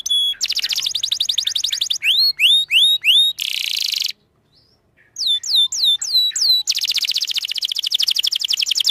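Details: Canary song used to prompt other canaries to sing, mixing fast falling sweeps, rising curved whistles and buzzy trills, with a short silent gap in the middle.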